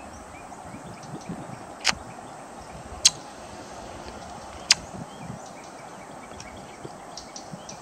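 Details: Green kingfisher in Texas, a year-round resident, giving three dry, sharp ticking clicks, spaced irregularly a second or more apart, over a steady hiss of background noise.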